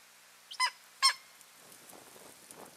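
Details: Two strong, hoarse barking yelps from an eagle pair at their nest, 15 March 2023, about half a second apart, followed by soft rustling and scratching noises.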